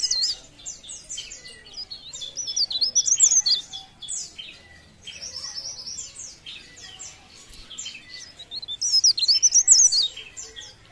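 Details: Leaf warbler in energetic song: repeated bursts of thin, high, buzzy twitters and looping whistled warbles, rising and falling in loudness over several phrases.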